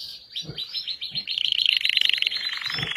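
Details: Red Belgian canary in full song, a dense, fast trilled warble that grows louder and more rhythmic midway, with soft low knocks underneath.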